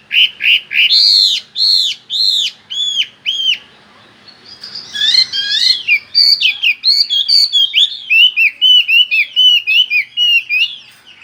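Chinese hwamei singing loud, clear whistled phrases, first slow arched notes repeated about twice a second, then a rapid rolling run of varied, bubbling whistles.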